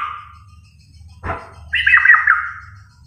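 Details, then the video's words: White-rumped shama (Copsychus malabaricus) from Kalimantan, Borneo, singing vigorously: a clear whistled note and a quick downward sweep, then a rich, fluting warbled phrase, over a faint low hum. "burung murai kalimantan borneo gacor"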